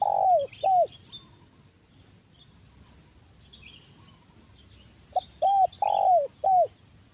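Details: Spotted dove in 'kuk satu' style during decoy trapping: two arched coos, a long gap filled with shrill insect trills, then a run of four rounded coos, the third longest.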